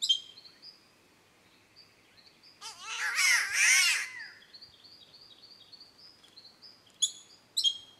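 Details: An Australian spotted catbird gives a loud, nasal, wavering wail lasting over a second, strikingly like a cat's meow, while smaller birds chirp thinly in the background.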